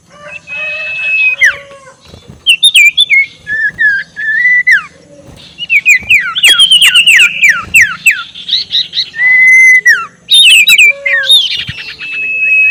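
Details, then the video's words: Sirtu, a spotted owlet, giving its ngekek call as a lure to provoke rivals: harsh, chattering notes alternate with squealing, downward-sliding whistles in uneven bursts, densely packed throughout. "SUARA NGEKEK SIRTU BIKIN LAWAN EMOSI || PANCINGAN SUARA BURUNG SIRTU"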